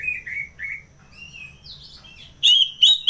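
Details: Orange-headed thrush singing in the ngeplong style: clear whistled phrases, then louder, richer rising and falling warbled notes near the end.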